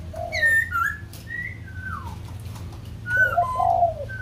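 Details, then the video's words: Whistled song of a white-crested laughingthrush, Kbang: clear slurred notes, a long downward glide, then a pause and a cluster of warbling lower whistles, low hum behind. "Khướu Đầu Bạc / Kbang / Bông Lau /Chim Bồ Chao /Hót Đỉnh Cao"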